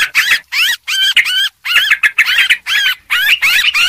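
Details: Yellow-vented bulbul lure sound, described as noisy: short bursts of bright, bubbling, wavering notes, each burst under half a second, separated by brief silences.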